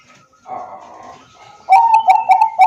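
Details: Zebra dove of the Bangkok type, Wiradesa, Central Java, singing to coax silent doves into song; soft murmuring background, then a sudden loud series of rapid, rolling coo notes.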